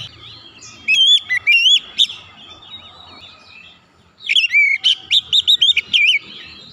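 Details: Oriental magpie-robin song for quick therapy of stalled or stressed birds: a burst of sharp whistles and looping warbles, softer scattered notes, then a rapid rhythmic series of repeated looping whistled notes.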